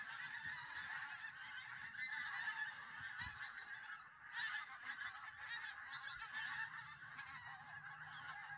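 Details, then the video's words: Geese massed on the Solway Firth near Southerness, Dumfries, southern Scotland: a thick, steady wall of overlapping honking from many birds, swelling and easing slightly. "Red Sea Geese"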